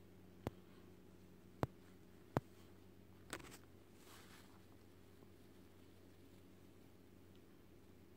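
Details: Indoors, a low steady hum is broken by four sharp taps or knocks, with no animal calls.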